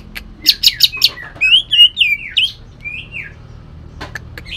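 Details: Leafbird of the Bornean cucak ijo type, singing harsh bursts filled with shrike imitations. A quick run of buzzy notes leads into loud, swooping whistled phrases, then scattered clicks.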